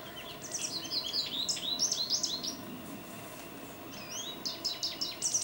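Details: American goldfinch, captured on a Nikon D800, delivering rapid, canary-like twitters and sweet slurred chirps in a burst, a short pause of near silence, then another quick run of high notes.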